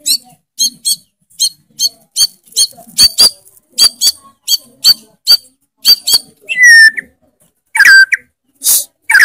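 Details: White-rumped shama in loud, non-stop song full of fills: a run of sharp, clicking chip notes roughly every half second, then bursts of rising and falling whistled phrases and a harsh rasp near the end.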